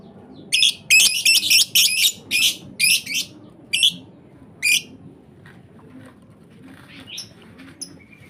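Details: Lovebird chicks held by a breeder call in a quick series of about ten rasping, buzzy bursts, loud and closely spaced at first, then falling silent apart from a few faint high squeaks.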